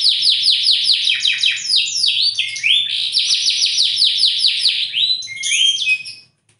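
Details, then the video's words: Bottle-green canary pours out repeated falling sweeps followed by a long rattling trill, ending with a few sharp high notes before the song stops. "Kenari Ijo Botol materi edan"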